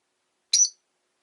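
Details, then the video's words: Rosy-faced lovebird on a leisurely afternoon, one brief shrill chirp with a slight downward slur, otherwise silent. "Lovebird Chirping Sounds"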